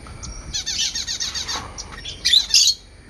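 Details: Parrots and parakeets chirping: a fast run of buzzy, scratchy chatter notes, then two loud harsh squawks toward the end, over low background hum.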